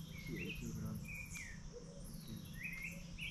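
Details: White-naped Brushfinch (Atlapetes albinucha), Colombia, giving short, rising, slurred high notes in small bursts, over a steady high insect hum and low background rumble.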